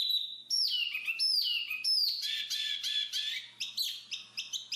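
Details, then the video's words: Black-capped babbler opening with a clear steady whistle, followed by three loud downward-sweeping whistled notes, then a jumble of chattering notes and quick, evenly spaced chirps. "BURUNG JONGKANGAN/Black-capped Babble"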